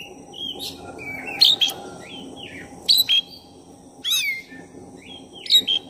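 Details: Black-breasted oriental magpie-robin singing a lure song meant to provoke another magpie-robin. Separate loud phrases of sharp, high whistles and slurred notes, some dropping steeply, with short pauses between. Steady low hum throughout.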